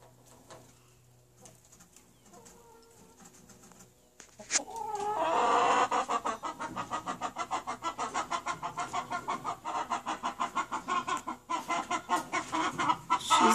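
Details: Chickens clucking in a rapid, loud run of harsh pulses after about four quiet seconds, the rhythm quickening toward the end; faint low hum underneath.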